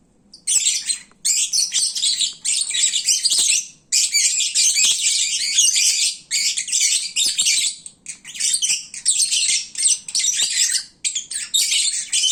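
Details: Midday lovebirds, full and sleepy, at their loudest: shrill chirping in repeated bursts of one to two seconds with brief pauses, many overlapping voices.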